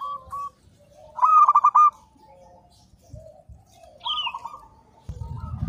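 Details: Local perkutut (zebra dove) used as a master song for training. Two bursts of rapid stuttering coos are separated by softer cooing. A brief higher call and a low rumble close the passage.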